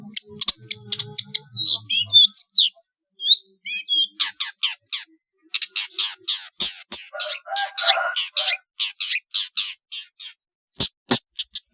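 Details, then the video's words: Long-tailed shrike training song for competition birds, trotol style: loud harsh squawks and twisting whistles, then a long sequence of rasping, scratchy high bursts with a low hum early on. "MASTERAN TROTOL CENDET JUARA"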